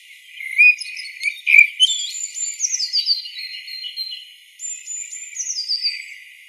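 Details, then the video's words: A common blackbird sings two phrases of clear whistles and high, squeaky twittering notes that slide downward, with a brief pause between phrases. "Blackbird song"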